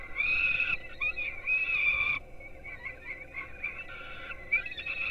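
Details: Young peregrine falcons at a nest in Gdynia, Poland, being fed breakfast at 4:21 am on 5-11-16, picked up by a live webcam: shrill, wavering whining calls in long harmonic bursts, broken by short pauses, over a steady low hum.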